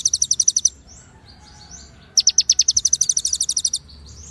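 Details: White-rumped shama song, konin style with cililin and ciblek imitations: a fast burst of high chirps, a quiet gap with soft twitters, then a longer dense run of sharp repeated notes.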